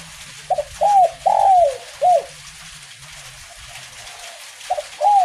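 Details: Spotted dove (derkuku) singing in light drizzle, a 'kuk 1' style bird: short double note, then long descending coos, phrase repeated twice with a pause; faint low hum underneath.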